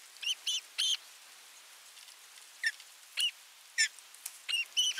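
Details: Osprey at nest 3 of a Finnish live nest camera, 27 June 2022, as the adult brings a fish and watches the feeding: short, high whistled chirps with bright overtones, in quick clusters and then singly, over a steady hiss.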